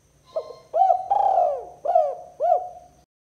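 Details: Spotted dove 'kuk 2' call to pull in rival doves: a faint lead note, arched coo, long drawn coo and two rounded final coos, low-pitched and mellow, ending abruptly.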